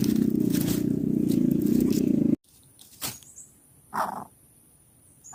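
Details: Greater coucal chick at the nest, fed a rat head by its parent and struggling to swallow it, gives a low, continuous purring growl for about two seconds. Then a sudden cut to near quiet with a few soft rustles and knocks.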